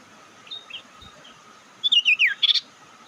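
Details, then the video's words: Sirtu lure call meant to provoke rival birds into answering: after faint high notes, a quick burst of four or five sharp downslurred whistled chirps, then a short buzzy note, over a steady high background hum. "Panggilan sirtu pikat Lawan awas ikut emosi"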